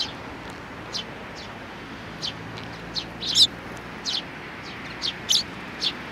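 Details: Sparrows on 27 June 2019, including a small one doing its best: irregular high chirps, two louder, sharper notes standing out among softer ones, with a low hum underneath.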